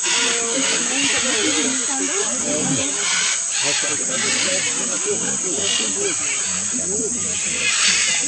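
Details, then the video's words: Blue-and-yellow, Red-and-green and Scarlet Macaws eating clay at the Chuncho Clay Lick, Tambopata Reserve, Peru, on 22 October 2015: a large flock giving continuous harsh, raucous squawks and screeches over one another. "Macaws were very noisy while ingesting the mineral and salt-rich clay"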